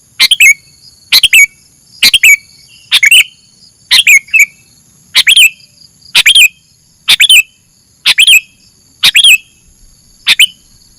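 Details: Sooty-headed bulbul on a masteran training recording: loud, harsh, clipped chirps, each a sharp burst ending in a short downslurred note, given in twos or threes roughly once a second. A steady faint high whine runs underneath.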